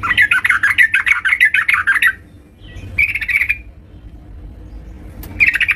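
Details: Yellow-vented bulbul in vigorous (gacor) song at home: a fast, bubbling, warbled series of notes for two seconds, a shorter chattering burst, then another brief warble.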